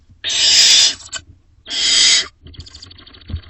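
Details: Barn owlets in a wild nest box, late May to early June 2025: two long, harsh, hissing screeches of roughly three-quarters of a second each, a pause between them, then a fainter, shorter raspy note.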